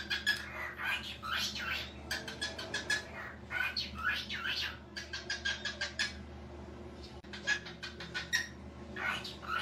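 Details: Pet cockatiel talking, mimicking Portuguese speech ('aí que gostoso'): quick, scratchy bursts of mimicked speech and squawks, with short rasping phrases repeated every second or so over a low household hum.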